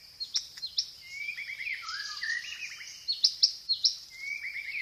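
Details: White-rumped shama song with 'gereja tarung' fill and 'roll tembak' material, fainter here: swooping whistles and sharp chips over a steady background hiss.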